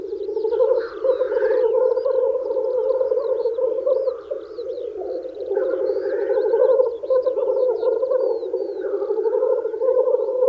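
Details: Male black grouse lekking in spring to woo females: a continuous low bubbling, cooing chorus from several birds, broken by harsh hissing rising sneezes near the start, middle and end, with faint higher twitters of small birds.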